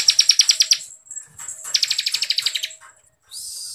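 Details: Bar-winged prinia (ciblek kristal) singing in the energetic, dense ngebren style, used as a master song for contest songbirds: two bursts of rapid, high, buzzy notes at about three per second, with a steady hiss at the end.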